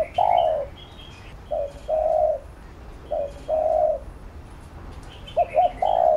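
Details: 'Thúc gù' cooing of a spotted dove, used to stimulate and train a fresh bird: deep hollow phrases repeated about every 1.7 seconds, each a brief note or stuttered pair leading into a sustained coo, with light chirping behind.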